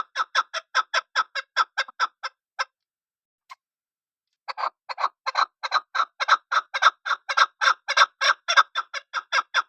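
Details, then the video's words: Chukar partridge giving a long series of clucking chuk notes, about two per second, each note a rough double pulse; the series pauses for a couple of seconds, then resumes steadily and slightly louder. "chakor ki khobsort awaz.. sound of keklik.ses sound.. sadaya kabak.. sawtul hijal..desi chakor"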